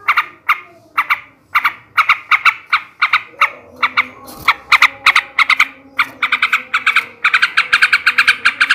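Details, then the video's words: Ngebrem ngekek garuda song of a male sooty-headed bulbul, used to stir breeding urge and draw rivals into singing. Steady, evenly spaced chattering notes speed up into dense rapid rattling runs toward the end. "kicau suara burung trucukan jantan ngebrem ngekek garuda"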